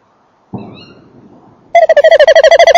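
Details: Male tawny owl landing at its nest box, evening of 28 December 2013, microphone near the box: a thud and scuffling, then a fast, regularly pulsed trill starting after a second.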